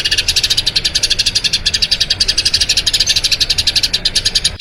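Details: Eurasian tree sparrow giving a long rolling song, used as a master recording for training other birds: a fast, steady run of bright high chirps, about eight per second, continuing without a break.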